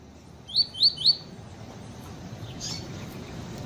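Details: Female Double-collared seedeater calling to warm up a male: three short, thin, upslurred high notes in quick succession, then a faint soft chirp, above steady low hiss.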